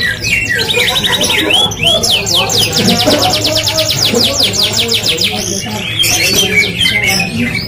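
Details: F1 canary in full, vigorous song: fast runs of high sweeping notes and rapid rolling trills, almost unbroken through the clip, over a steady low background rumble.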